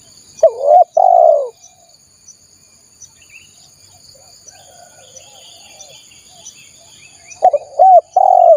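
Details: Wild-dove lure recording of a spotted dove. Cooing phrases cut off at the start and end, with a quiet gap of several seconds between them filled by soft chirps and a constant high-pitched insect drone.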